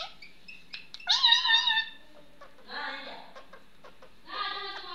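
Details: Indian ringneck parrot kept as a talking pet, making a loud grating squawk, a pause, then two shorter bursts of raspy, harmonic chatter, possibly speech-like, in a quiet room.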